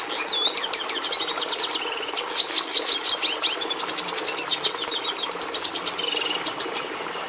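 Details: Venezuelan red siskin, a bird much admired by breeders, delivering a long rapid twittering song with trilled bursts, buzzy rasps and high repeated chirps, almost without pause.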